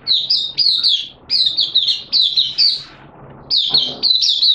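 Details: Malaysian mata puteh, an Oriental white-eye in 'buka sing' display, 25 February 2023: clustered high chirped notes in several brisk phrases, a longer pause midway, then renewed twittering, faint low hum throughout.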